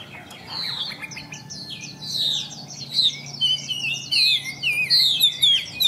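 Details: Caged hwamei in poor condition, hung outside and still singing casually: a continuous rambling warble of varied high whistles, slurred trills and squeaky notes, growing louder and richer over several seconds, over a low background hum.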